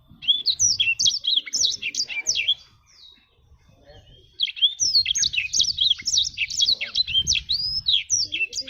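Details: Two bright bursts of song from a jabrig black-throated canary: quick, jumpy high chirps repeated several times a second, separated by a short quiet pause, with faint low background rumble.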